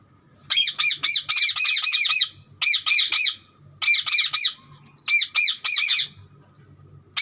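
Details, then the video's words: Green parrot producing bursts of rapid, scratchy arched chirps, about four to seven per burst, grouped in four volleys separated by short pauses. "parrot chirping sound"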